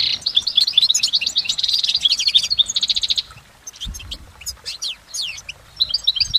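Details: Goldfinch singing in nature: a long, rapid, high-pitched twittering run of tinkling notes and trills, continuing almost without pause, then more scattered chirps after a brief lull.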